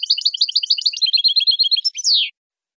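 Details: Jilguero campero (Saffron finch) tutor song for captive birds: fast repeated double chips at high pitch, speeding into an even trill, then a loud sweeping downward slur and silence.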